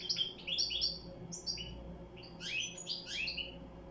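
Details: Quick liquid twitters and sharp downward-slurred chirps from a European goldfinch, packed closely together above a low humming background.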